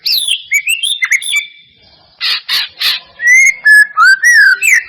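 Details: White-rumped shama song used as a lure to make silent shamas start singing and respond quickly: clear whistled notes, a burst of harsh rasping chatter midway, then rich falling and rising whistles.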